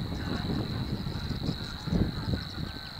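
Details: Savi's warbler song from De Onlanden in Drenthe, the Netherlands, recorded on an April 2018 morning with two birds present. A sustained high buzzing reel stays constant beneath softer, persistent wind noise.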